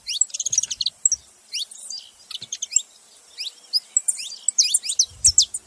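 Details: Saffron finch calling: quick, high, sharp chirps and short downward-sliding notes in irregular bursts, some closely spaced, with a few brief low thumps near the end.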